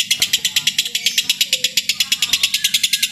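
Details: Lovebird chatter for training birds for singing contests: rapid, evenly pulsed high chirps, about eight per second, shrill and buzzy, with a faint low hum beneath.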